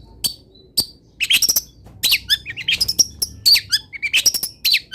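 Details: Long-tailed shrike in vigorous song packed with mimicked wild-bird phrases: scattered sharp high chips and short buzzy notes in uneven bursts, with brief gaps between phrases and faint low background hum.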